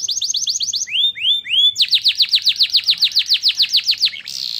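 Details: A caged canary delivers song copied from white-eyes (pleci), played to heighten birds' excitement. Quick rising-falling chips give way to a few long upslurred whistles, then a steady series of loud downslurred notes and a buzzy ending.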